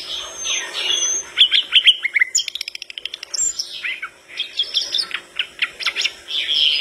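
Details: A flycatcher in lively song, said to make other birds respond, gives a fast, varied string of high chirps, sweeps and rattling trills, about three notes a second, with no other sounds heard.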